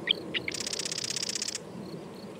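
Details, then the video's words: Marsh wren song: two or three short high introductory notes, then a fast buzzy rattling trill of evenly spaced pulses lasting about one second, followed by quiet background. "Marsh Wren - Song & Call"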